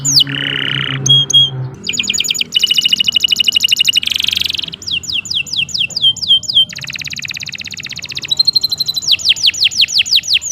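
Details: Canary song for training other birds, long and lively: rapid rolls of high repeated notes, buzzy bands and downward-sweeping whistles changing every second or so, with a short low hum near the start.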